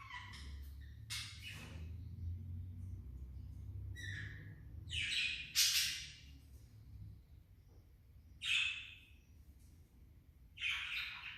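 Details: Pet budgerigar calling in scattered bursts: short raspy squawks and chirps spaced a few seconds apart, some brighter and louder, over a low steady background rumble.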